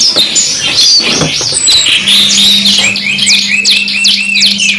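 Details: Canary song from a 2-in-1 masteran recording: brief mixed chirps give way to a rapid, evenly pulsed high trill of rounded repeated notes, accompanied by a constant low hum.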